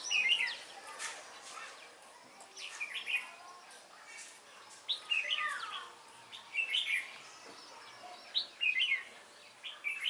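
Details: Red-whiskered bulbul used as a decoy for trapping wild bulbuls, a thick-crested bird with a bell-like voice, recorded 12 November 2017; short warbled phrases repeat roughly every two seconds, with faint chirps from other birds behind.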